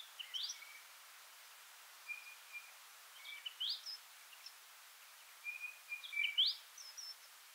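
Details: A feeding party of Varied sittellas chatters with thin, high chips and short flat whistles in three brief bursts about two seconds apart, with quick rising notes; a nearby Singing Honeyeater may give single notes.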